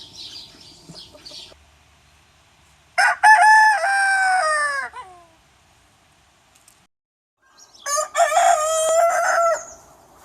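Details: Two full crows from a rooster, one of several breeds, separated by about three seconds of quiet. Each is loud, rich and harmonic, held roughly two seconds before dropping away. Faint earlier crowing is audible at the start.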